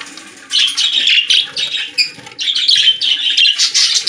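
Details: Several budgerigars in a pet store sing a steady stream of harsh chirps and warbled whistles, almost without pause, over a faint low hum.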